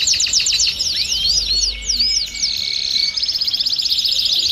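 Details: A chorus of domestic canaries, recorded to encourage other birds to sing: quick downward-sweeping chirps give way to a sustained whistled note, then a fast, even, buzzy trill, all high and bright.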